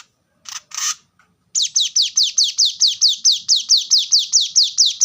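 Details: Kolibri kelapa, the plain-throated sunbird, delivering a tight series of piercing downslurred notes at about four per second, regular and evenly spaced, preceded by two short noisy rustling bursts.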